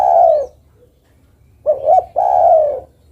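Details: Spotted dove female calling her mate: the end of a long mellow coo, a pause, then two short rising notes leading into another long, gently falling coo.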